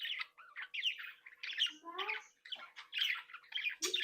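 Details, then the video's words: Happy chatter of a home budgerigar breeding flock: dense scratchy warbling with squeaky chirps, a few lower whistled slurs and rasping squawks, continuous throughout with brief breaks. "Sonidos de Mi Cría de periquitos Australianos"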